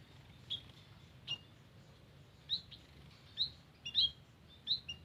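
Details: White-headed munia calling in a garden, used as a lure: short high chirps and thin notes given singly and in small clusters, irregularly spaced over a low background hum.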